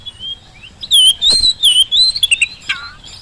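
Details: Oriental magpie-robin song used to make reluctant birds answer: soft whistles building into a loud continuous warble of rolling, wavering notes, then quick chips and a falling slur.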